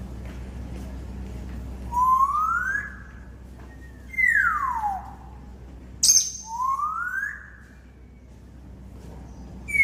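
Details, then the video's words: Domesticated African grey parrots whistling: clear, pure whistles, one sliding smoothly upward, another swooping downward, then another rising glide, spaced about two seconds apart. Brief sharp squeaks come in between, over a low steady hum. "Listen to whistling domesticated African Grey Parrots"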